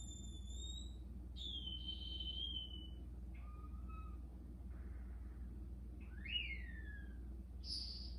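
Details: Newly arrived green-backed twinspots, four pairs plus extra males of these sub-Saharan African finches, in an aviary the night after arriving, sing thin, high whistles, some held level and others swooping down, in phrases about a second apart, over a steady low indoor hum.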